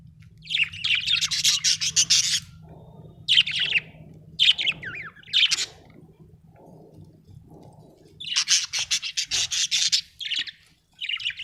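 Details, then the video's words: Cheerful budgie chirping in loud, dense clusters of rapid scratchy high notes, broken by brief gaps and softer murmuring chatter, ending with a few more short chirp bursts; a steady low hum runs throughout. "Happy budgie singing - budgie chirping sound"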